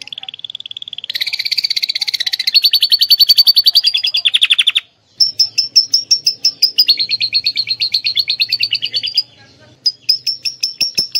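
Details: Atlantic canary singing lovebird-imitation phrases: a steady whistled trill, a loud fast buzzing rattle, brief silence, then rapid chattering runs and short sharp high notes.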